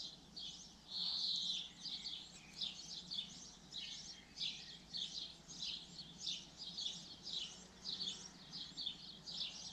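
Common linnet giving a lively, high twittering song of quick chattering bursts, about two each second, with a brief clearer whistled phrase near the start.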